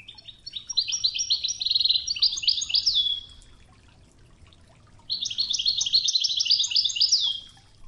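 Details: Goldfinch training song in the original Wedani Toghza style with river water sounds: two long phrases of quick, jingling twitters, each closing with a descending whistled note, over a soft watery background.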